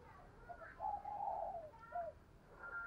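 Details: Decoy spotted dove calling to lure wild doves, a soft low coo phrase with a longer middle note and a short closing note, heard faintly against steady background hiss.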